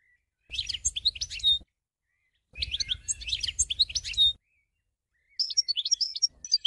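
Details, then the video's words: Lively twittering European goldfinch song: phrases of one to two seconds made of jumbled high chirps, trills and thin whistles, repeated after brief gaps, over a soft low background rumble. "ساعة من تغريد الحسون 1H de chant chardonneret / Cancion Jilguero 1H"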